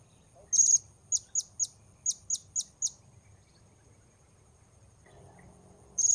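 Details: Blue-crowned hanging parrot recorded while wild birds are being lured: one shrill high note, then a run of six short, piercing notes spaced evenly, a pause, and another shrill note at the end, with quiet low rumble beneath.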